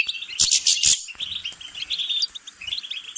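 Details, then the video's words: Short stretch of European goldfinch song opening with four harsh buzzy notes in quick succession, then a fast twittering chatter of high chirps. "غناء طائر الحسون"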